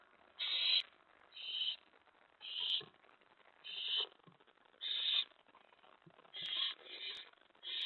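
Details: Owl begging during a nighttime prey delivery at the nest, May 15, 2017: a rhythmic run of harsh hissing bursts, about one each second, with light clicks and rustles.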